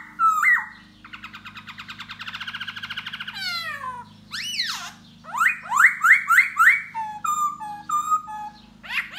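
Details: Khướu da bò laughingthrush performing its dancing song to attract a female, a varied run of notes: a whistle, a long rising buzzy trill, sweeping slurs, a fast series of rising whistles, then short level notes, with a low electrical hum behind.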